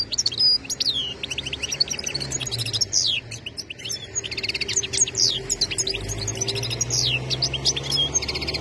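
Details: Continuous, energetic goldfinch song of liquid twitters, rising slurred notes and rapid buzzy trills running almost without pause, over soft background hum.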